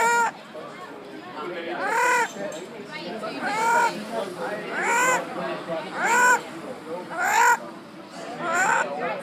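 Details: Talking parrot recorded in Mallorca in 2013, saying hello: a series of short, arched, harmonic speech-like calls repeated roughly every one to two seconds, with faint background hiss.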